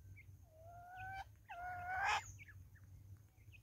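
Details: Natal spurfowl, one of a flock in woods in South Africa: a drawn-out, slightly rising note rich in overtones, a second similar note that breaks into a loud harsh rasping burst, then faint high chirps from other birds.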